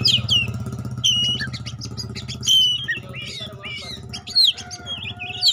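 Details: A pastol-type Oriental magpie-robin sings bright, looping whistled phrases with quick up-and-down slurs and short chatters, against a steady low buzzing hum.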